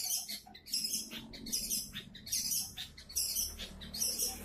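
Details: Song of a long-tailed shrike, played to set other shrikes singing: a steady series of harsh, hissing, scratchy notes repeated in short bursts nearly every second, with a faint low background hum.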